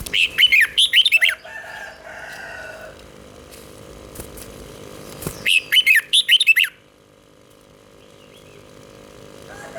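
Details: Southern master style song of a caged Thai red-whiskered bulbul, played to get birds excited: two lively bursts of fluty, slurred notes several seconds apart, with a low hum in the background.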